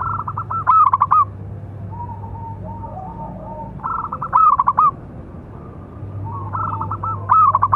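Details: Local zebra dove with a big voice singing a lure song for training other doves: loud rapid coo series ending in rolling trills, repeated roughly every three seconds, with soft low coos in the pauses.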